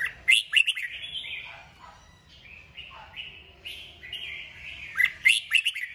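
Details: Red-whiskered bulbul stimulated to sing, giving short whistled and warbled phrases around mid-high pitch with loud sharp bursts near the start and end, separated by brief pauses.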